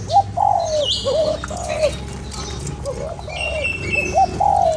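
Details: Spotted dove calling to stimulate a lure bird: short hooked notes followed by longer, slightly falling coos, repeated in quick phrases, with faint higher chirps from other birds behind.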